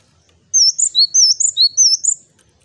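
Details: Male Java sparrow in active song gives three clear, high, bell-like 'wucit' double notes in a quick burst over near silence.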